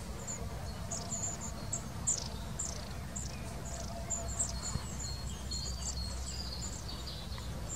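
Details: Long-tailed tits near Wittlich, Germany, in 2019 give thin, very high 'see-see' notes and short trills, scattered through the clip over a steady low rumble of wind or distant traffic.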